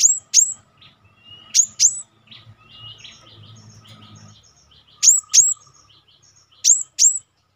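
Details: Cinereous tit known locally as gelatik batu, singing for a master training recording; paired, very high, steeply falling whistled notes come in spaced clusters, with soft twittering in between and long quiet pauses.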